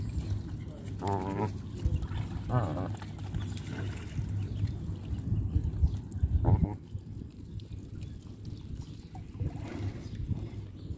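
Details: Canada geese being hand fed give a few short harmonic honking calls spaced several seconds apart, under a steady low rumble with human voices close by.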